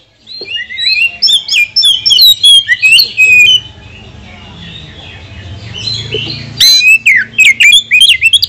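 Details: Oriental magpie-robin singing a provoking song meant to rile other magpie-robins: rapid whistled and buzzy notes, rising and falling, packed densely for three seconds, then a quiet pause before another burst of quick sharp notes.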